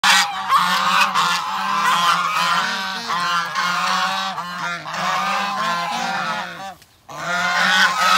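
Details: Geese calling as a flock: dense, overlapping nasal honks stacked together in a continuous chorus, with a brief near-silent gap around the seventh second before the clamour resumes.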